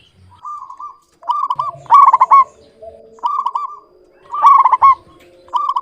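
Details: Zebra dove of local stock singing clear, bubbling coo phrases, short trilled bursts repeated about every one to two seconds, the loudest near the middle and end.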